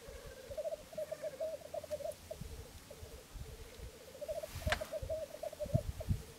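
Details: Black grouse lek at Filsartrusket, Florarna, dawn on 17 April 2013, three cocks displaying: unbroken rolling, bubbling coos in a mid-low band, overlaid by low rumbling thuds and a brief sharp noise near the end.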